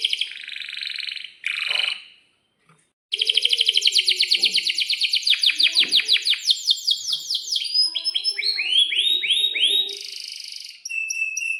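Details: Long rolling 'gacor' song from an Atlantic canary in breeding condition: buzzy opening bursts, a pause, then a long rapid trill turning into swooping whistled notes and clipped chirps, with faint low background sounds.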